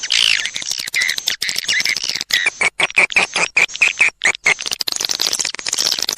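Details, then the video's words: Edible-nest swiftlet lure call used by swiftlet keepers: buzzy high chatter, then a run of short, evenly spaced chirps, followed by more dense twittering. "SUARA PANGGIL RAJA PIKAT WALET"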